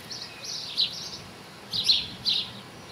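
A common linnet sings fast, twittering phrases of high chirps and trills in short bursts, with a faint background hiss.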